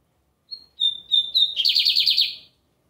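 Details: Bigodinho, the lined seedeater of Brazil, in full American-style song on a Sunday: a thin high whistled note, a few clear repeated whistles, then a fast rippling buzzy trill ending after two seconds, in a quiet setting.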